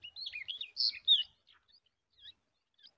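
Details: A yellow-tailed bulbul feeding a large spider to its chicks: a burst of high, bubbly chirps and twitters for about a second, then a few faint, scattered squeaks.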